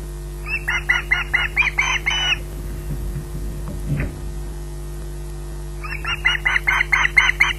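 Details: Squawking osprey at Loch Garten waiting for food: a quick bout of about eight rasping squawks, a quiet gap with a faint knock, then a second rapid series starting up.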